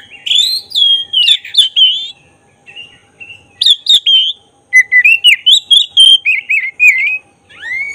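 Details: Oriental magpie-robin, black-breasted form, singing energetically as a provoking lure to trigger emotion and tail display; long stream of rich whistles, warbled trills and rapid repeated notes, broken by brief pauses.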